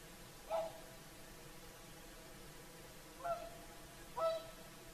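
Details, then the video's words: Whooper swans' evening song at sunset on the Lake Saimaa shore: three short trumpeting honks, one early and two close together near the end, clear over quiet ambient background. "Swans singing at sunset"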